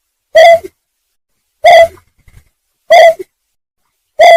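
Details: Greater painted-snipe hooting, played as a trapping lure: four clipped, hollow notes, each about a third of a second long, evenly repeated around every 1.3 seconds against a quiet background.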